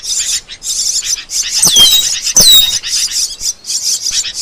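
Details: Asian glossy starling master recording: pulsed high chatter in quick bursts, broken midway by two loud ringing whistles that slide downward, then the pulsing twitter resumes.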